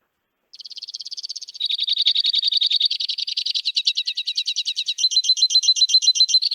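White-winged Crossbill song: high, rapid trills that shift speed and tone every second or two, with a dry, mechanical, almost electronic quality.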